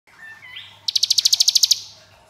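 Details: Hill prinia in ngebren style, long-duration singing: after a faint rising whistle, a single burst of about twelve rapid, evenly spaced high pulses, like machine-gun fire, fading into a soft tail.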